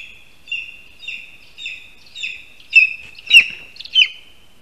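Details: Lesser spotted eagle at a spruce-tree nest in Latvia, bringing its first prey, a rat, to the nest with a handover on the tree, 1:38 PM, 22 August 2021; short, clear yelping notes repeated about every half second, growing louder toward the end.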